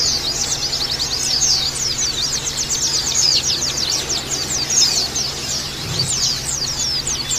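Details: Oriental white-eyes chirping together (pleci ombyokan) as therapy to make birds chirp harshly and open their beaks: busy, high, rapid twittering with many short sweeping notes, steady throughout, a soft low hum behind.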